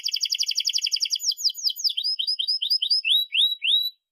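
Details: Canary with a long, sharp song, used as a model for young canaries learning to sing: a fast trill of repeated notes for over a second, then a series of slurred rising and falling whistles spaced about a third of a second apart.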